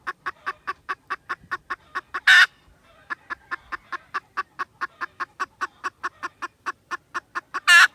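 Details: Recorded 16 December 2021, a junglefowl keeps up rapid, evenly spaced staccato clucks for several seconds, broken by a one-second pause and two loud harsh bursts.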